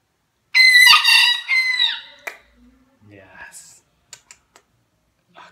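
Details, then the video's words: Domestic rooster crowing while fighting himself, a loud, harsh crow of about one and a half seconds with rich stacked harmonics ending in a falling tail, followed by quiet clucks, clicks and a person's voice. "My rooster crows and fights himself"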